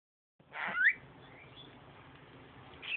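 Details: Pet bird kept at home, described as singing, gives a short harsh burst followed by a quick rising whistled chirp, then quiet room noise before two brief high chirps right at the end.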